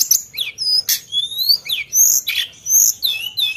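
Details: Sunda bush warbler delivering sharp 'nembak' song: bright rising whistles alternating with harsh high chips, repeated in quick phrases roughly every half second.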